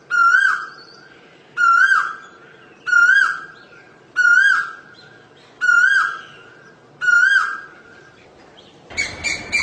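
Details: Six clear whistled koel calls, each swelling upward then dipping, repeated roughly every one and a half seconds, ending in a brief burst of broadband noise.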